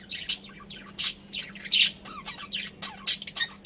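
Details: A group of budgies in busy chatter, dense bright chirps mixed with buzzy squeaks and little sliding warbles, almost continuous over a low hum.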